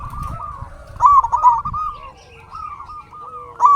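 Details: Zebra doves of a local Indonesian strain coo in a lure recording used to make silent doves sing. Continuous low, rolling coos overlap, and a louder warbling coo phrase bursts in near the start and again at the end.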